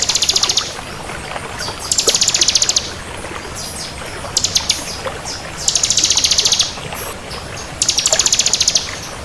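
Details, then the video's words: Bar-winged prinia of the crystal type in full voice, delivering very high rattling trills of rapid, even pulses lasting under a second each, repeated every one to two seconds, with faint chips between and steady background hiss. "Suara Burung Ciblek Kristal Gacor"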